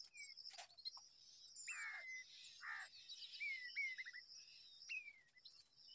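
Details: Babbler calling near a nest in a date palm: harsh rasping bursts mixed with clear downslurred whistles and a short stuttering series of notes, with a constant shrill insect whine behind.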